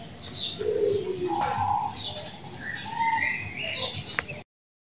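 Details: Zebra dove, described as a world-champion singing bird, giving low mellow cooing phrases, with bright chirps and whistles from other birds overlapping throughout.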